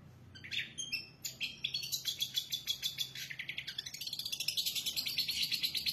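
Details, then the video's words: Long-tailed shrike song, a fast varied run of sharp high notes and chatter, becoming a steady rapid series of scratchy repeated phrases, roughly three per second. "cendet gacor isiannya mewah banget"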